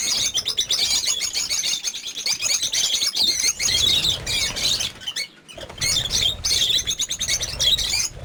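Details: Lovebirds kept in a breeding farm flock of more than fifty, producing a steady wall of sharp, high squeaky chirps, with a short quieter gap near the middle before the chatter resumes.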